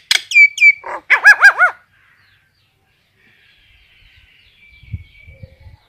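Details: Brief burst from a common myna calling the flock: a few sharp whistled downslurs and a rattle, then three looping warbled notes, followed by near silence with faint distant sounds.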